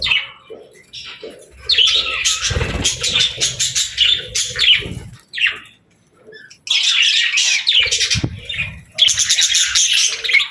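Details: Pet parakeets singing and playing, with three long bouts of dense, scratchy high warbling and squeaks separated by brief silences, plus some low thuds.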